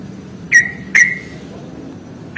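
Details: Yellow-vented bulbul, played as a fighting-style ngalas song to lure lazy birds into singing: three short, loud whistled notes that slur downward, spaced about half a second apart, over a faint low hum.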